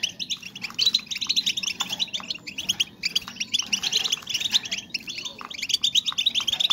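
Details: Several female European goldfinches whose calls are meant to bring males into breeding condition give a continuous, busy chorus of high, liquid twitters and chirps, tightly packed and barely pausing throughout.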